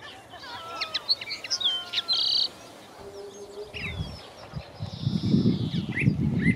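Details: Common linnet at Walthamstow Marshes, London, in May 2020, giving rapid, bright twittering chirps and a short buzzy note, then fainter calls under a low wind rumble.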